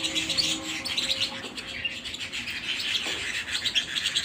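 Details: Canary at home delivering lively song, quick high chirping notes and trills pouring out without pause, while soft tonal humming lines sit low in the background early on.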